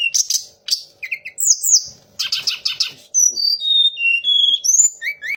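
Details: Mimicry song of a Sunda laughingthrush copying magpie robin, shama and orange-headed thrush. Harsh chattering bursts, then a sequence of pure whistled notes stepping downward, with quick rising slurs at the end.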